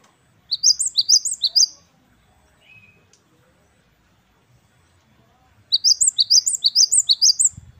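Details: Two bursts of wucit wucit kristal song from a great tit, gelatik batu wingko: rapid piercing two-note figures for about a second each, separated by a long quiet gap with faint low background.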